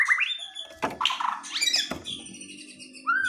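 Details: White-rumped shama in an aggressive singing bout aimed at provoking a response, mixing rising whistled slurs with harsh raspy bursts and scratchy notes over a low rumbling background.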